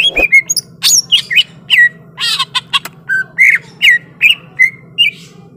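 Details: Greater green leafbird in fighting mood: a harsh rasping burst, then sharp whistled notes spaced about half a second apart, some slurred downward, over a low droning hum.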